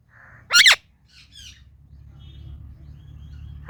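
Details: Indian ringneck parakeet, a talking pet parrot, letting out a loud harsh double squawk, a few soft chattering notes, then another squawk at the end, over a low hum.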